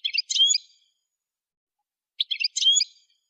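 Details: Goldfinch in a song-training recording giving two short, high, chattering calls about two seconds apart, each ending in a thin rising whistle.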